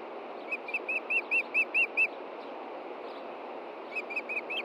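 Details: Osprey at a Montana nest, 23 June 2013 around 8 pm, searching for a fish the female had hidden. A run of about eight strengthening whistled chirps, a pause of nearly two seconds, then a softer burst of five.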